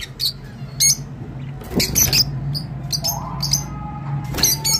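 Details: Rosy-faced lovebird song used to encourage mating: short bursts of sharp, squeaky chirps and squawks in loose clusters, with a brief rising whistle-like note midway, over a steady low hum.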